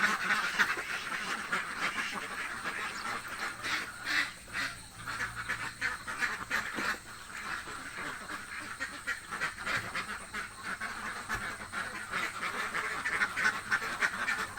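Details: Hungry ducks in a village quacking together, a dense, continuous run of harsh, nasal quacks overlapping at a fast, irregular pace throughout.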